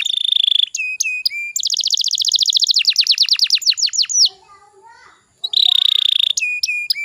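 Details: Canary song meant to provoke young canaries into singing: steady whistle, ringing chips, a fast dense trill, a brief quiet pause with soft chatter, then the whistle and chips again.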